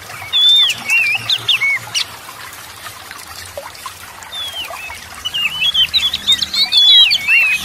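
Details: Oriental magpie-robin singing to stir other silent magpie-robins into song: bursts of varied whistled, twisting notes, a quiet pause midway, then a fuller run of rapid looping whistles over a faint low hum.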